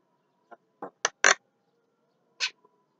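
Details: Javan myna at midday giving a few scattered notes: a short thin note, then harsher rasping calls, loudest around the middle, and one final buzzy note after a pause.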